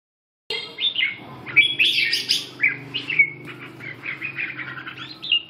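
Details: Red-whiskered bulbul singing just after waking up: lively, jumbled chattering phrases of bright warbled and whistled notes, rising and falling, with brief pauses and a low background hum.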